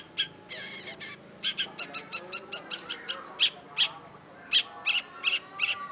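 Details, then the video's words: Hard-singing cendet, the Long-tailed shrike, pours out rapid high ticking notes and short whistled chirps at a fast pace, after an opening harsh rasp, with faint lower chatter behind. "cendet gacor WAJIB PUNYA !! KOLEKSI MASTERAN CENDET || Long-tailed Shrike"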